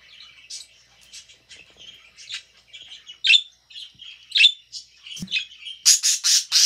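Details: Pet budgerigar chirping while eating: a busy stream of soft warbled twitters and short squeaky chirps, growing louder toward the end with a few sharp, bright chirps, in a quiet room.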